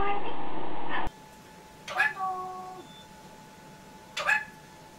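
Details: Indoor pet young grey parrot: a loud, muffled burst at the start, then two vocalisations, each opening with a sharp click and trailing into steady, tone-like harmonic notes, over low room noise.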